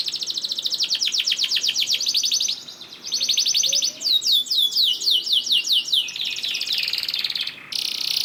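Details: Canary delivering long rolling trills, a lure to make other canaries sing; rapid, even pulses alternate with curving whistled notes and a high, buzzy rattle, with brief pauses between phrases.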